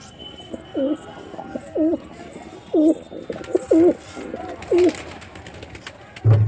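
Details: Male white pigeon calling indoors: five or six short, hollow coos, each a quick rising-and-falling phrase about one second apart, with low background hum and a brief thump at the close.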